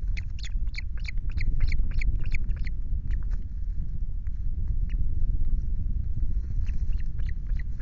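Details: Ospreys at a Loch Garten nest with chicks on 5 July 2023 give quick series of high, thin chirps, about five per second at first and then spaced out, over steady low wind rumble.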